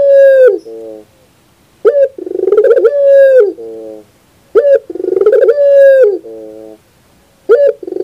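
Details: Barbary dove song for bird training, 2021. Phrases recur every few seconds, each opening with a quick sharp coo and a stuttered pulsing build. Next comes a prolonged strong coo held at one pitch, ending in a lower softer tail.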